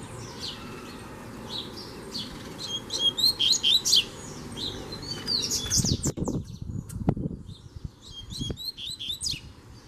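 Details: Double-collared seedeater, free-living, singing a challenge at a caged bird: a strong bout of rapid sharp notes around three to four seconds, followed by low thumps and knocks and fainter high chips.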